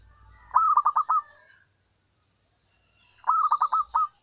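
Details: Zebra dove from the wild, calling to draw in males as a lure: two trilled cooing bursts of about five clipped notes each, separated by a quiet gap with distant high bird twitters.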